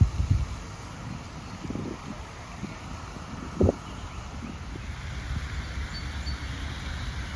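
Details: Outdoors, wind buffets the microphone with a low rumble, with a brief knock midway and no clear animal calls.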